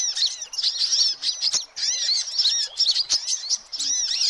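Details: Excited sunbirds, recorded to lure every kind of sunbird; bursts of high squeaky twitters and curved tweet notes from several birds, overlapping, with brief gaps between bursts.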